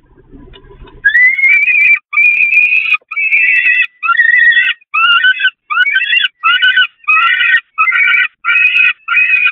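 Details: Peregrine falcons feeding on the nest grating of the Catharinakerk in May 2021, with insistent begging: after a low rumble, long rising wails give way to steady, harsh cries roughly every three-quarters of a second.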